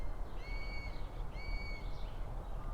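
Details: At sunrise at a hawk-eagle nest near Sydney, a young hawk nearing fledging gives two monotonous, steady, high-pitched whistled calls, each about half a second long, over a low rumble of wind, apparently wanting to come into the nest.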